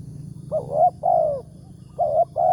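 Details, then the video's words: Spotted dove in the wild, a morning trapping target noted for its big voice in the 'tarik akar' style, giving a quick hiccuping double coo then a long falling note, repeated twice close together above low background rumble. "TEKUKUR SUARA BERSAR"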